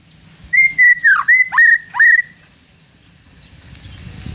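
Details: White-rumped shama, a speckled juvenile (trotol), song used as a lure to prompt other birds to sing: a series of six loud clear whistles, each level then dipping sharply downward, over about two seconds, followed by quiet low background rumble.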